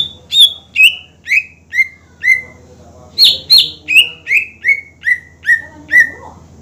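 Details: Greater green leafbird in strong song, recorded to provoke competing birds; a rapid series of about fifteen clear whistled notes, each falling in pitch, in two descending runs, with a low hum and faint extra sounds.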